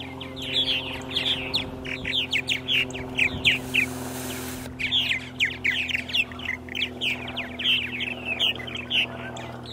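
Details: Morning purple martins on April 14, 2012 in Center Moriches, Long Island, New York: dense gurgled chirping from a group, interrupted by a short hissing gap, then resuming strongly over background hum.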